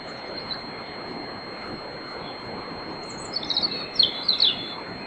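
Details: Night-singing European robin before dawn in a riverside grove, Bóveda, Lugo, Spain; after a quiet stretch a quick high twittering phrase of sharp thin notes ends the recording, over constant hiss.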